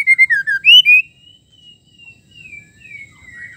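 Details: Female white-rumped shama, whose song is meant to excite males into singing. It gives a quick burst of loud, clear whistles, falling then rising, then fades into long, thin, quiet notes.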